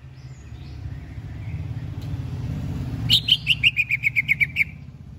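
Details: Contest-bound greater green leafbird gives a quick string of around ten sharp, ringing chirps, slightly descending and evenly paced, following a quiet start with low engine-like rumble in the background.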